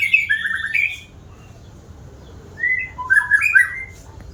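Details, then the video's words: White-rumped shama, described as singing often, giving a fluty warbled phrase, a long pause, then another run of rich whistled notes. "Burung murai batu rajin bunyi ni contohnya"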